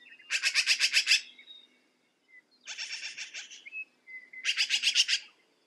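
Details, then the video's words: A black-billed magpie gives three harsh, rapid chattering bursts of about six to eight grating notes each, separated by short pauses. "Black billed Magpie - Bird Sound"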